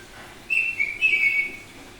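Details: Semi-tame Bali-type oriental magpie-robin singing in the loud, open ngeplong style: one high clear whistled phrase of two sustained notes, the second slightly falling, over quiet background.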